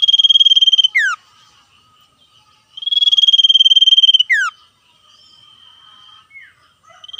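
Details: Common iora singing in the lively 'ngetir' style, calling back and forth with wild birds: two long, even pulsing trills, each ending in a sharp downslurred whistle, with quieter answering notes between phrases.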